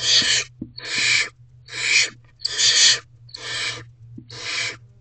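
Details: Begging barn owlet calling to its mother for food at dusk in a nest box, May 2023: six loud, rough, snoring hisses, each about half a second long, spaced roughly a second apart, with a constant low electrical hum.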